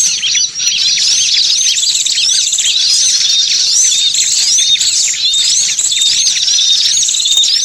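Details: Small birds on a lure call recording, a busy flock chorus of high, fast chirps and short whistled notes running steadily throughout, with occasional brief squeaky accents.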